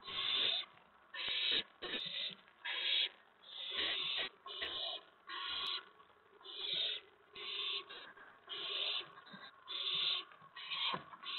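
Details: Owls at a nest filmed on April 19, 2017, around 8 PM, while the adults deliver food to the owlets. Harsh, breathy screeching hisses repeat steadily, roughly one per second, about a dozen in a row.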